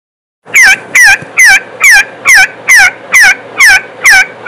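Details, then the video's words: Partridge calling in a loud, harsh series of downslurred notes, about ten evenly spaced in four seconds, each note sharp and ringing with a steady rhythm. "صوت الحجل"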